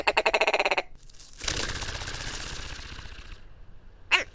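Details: Willow ptarmigan call, given by males during the breeding season to mark territory and attract mates: a fast, rough, deep rattle of clipped notes like a muffled cough, then a harsher stretch and one sharp final note.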